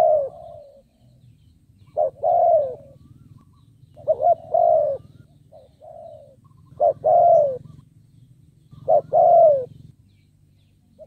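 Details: Spotted dove decoy calling to draw in wild doves: four loud phrases of a quick double note and a long falling coo, roughly every two to three seconds, with soft coos between and a low constant hum.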